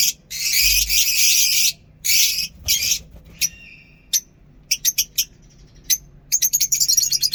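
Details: Lovebirds kept in a mini zoo bird setup, singing in the morning: loud, harsh, buzzy chattering bursts at first, then sharper short chirps coming in quick irregular runs with brief silent gaps.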